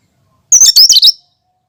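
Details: A cucak kinoi sings its original song without mimicry, used to prompt and lure other birds. It gives a single brisk phrase of five or six high, squeaky, chattering notes packed into under a second.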